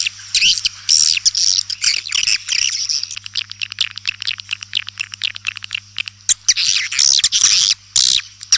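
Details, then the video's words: Swiftlets give dense, high, buzzy twittering that runs as a fast stream of scratchy chirps with brief pauses, then swells again into loud bursts near the end. "Suara Burung Walet"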